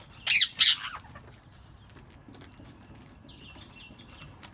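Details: Wild parrots in a garden giving two loud, harsh squawks early on, then quieter scratchy notes and a faint, thin call later over a calm outdoor background.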